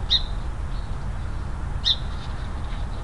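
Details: Wild song sparrow in the Willamette Valley, Oregon, scolding a bobcat on a trail: two crisp, high chips spaced nearly two seconds apart, with a low background rumble.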